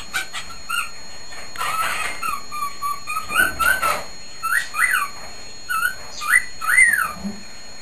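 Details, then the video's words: Caged male cockatiel whistling loudly: a wavering series of whistled notes, some level and some rising and falling in arcs, over a hissy background with a few brief broadband bursts. "Bailee Whistles"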